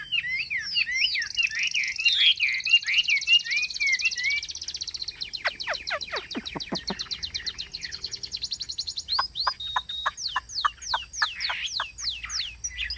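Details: Kept Chinese hwamei in long song: a dense high trill, then a series of steep falling sweeps, then quick repeated chirps near the end.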